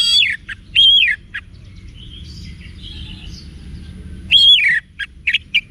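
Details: Orange-headed thrush singing a wiksar-style song, used to make other caged orange-headed thrushes answer boldly: loud whistled notes that rise then fall, in short phrases split by a long quiet gap, over a low steady hum.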